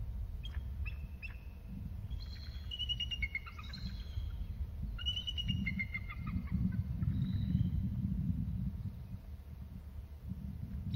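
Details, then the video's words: Two bald eagles calling while one moves from one perch to another: two bursts of high, thin piping notes that fall in pitch, with a steady low rumble underneath. "Calls from both eagles"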